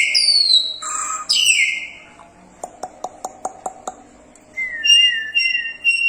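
A crested myna gives loud, clear whistles and sharply falling sweeps, then a quick run of seven dry clicks, and ends on a wavering whistled note.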